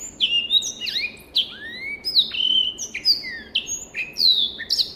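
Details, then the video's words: Clear tutor-recording song of a black-throated canary, a finch native to Africa: quick sequences of bright descending whistles and rising slurs, delivered almost without pause. "SOUND of BIRD BLACKTHROAT || FINCH SINGING || MASTERAN BLACKTHROAT"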